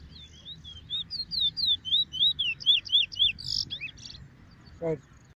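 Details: On a morning of 2 June, a small, shy Chestnut-bellied Seed-Finch (Trini bullfinch) on the grounds for the first time sings a quick run of about a dozen high, sliding whistled notes, then a buzzy flourish and a final falling whistle.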